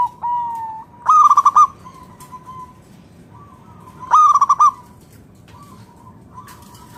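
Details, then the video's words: Local zebra dove of wild stock, a strong singer used as a lure to make other zebra doves sing: two loud bursts of rapid staccato cooing notes about three seconds apart, each trailing into a level held tone. "PERKUTUT LOKAL GACOR SUARA PALING AMPUH UNTUK PANCINGAN BURUNG PERKUTUT AGAR NYAUT BUNYI GACOR"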